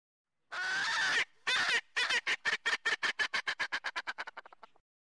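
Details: An Erckel's francolin, a species introduced to Hawaii and locally called the Laughing Bird, gives a loud, harsh laughing cackle: two long grating notes, then a rapid, accelerating run of about a dozen clipped notes that fade away.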